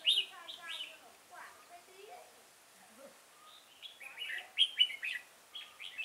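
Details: Red-whiskered bulbul recorded during bird trapping with a decoy at Chùa Hương on 5 March 2018. Bright chirpy whistled phrases come in bursts at the start and again near the end, with a quiet gap between.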